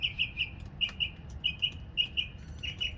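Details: After February rain, a northern mockingbird sings a steady run of sharp, high chirped notes. They come in pairs and triplets, roughly ninety to the minute, with a faint low hum beneath.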